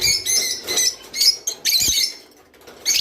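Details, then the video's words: Java sparrow song meant to push birds to mate: a few high, ringing, bell-like notes and chattering bursts, then a near-silent stretch before a final note. "تغريد روز / صوت روز/حفزطيورك علي التزاوج"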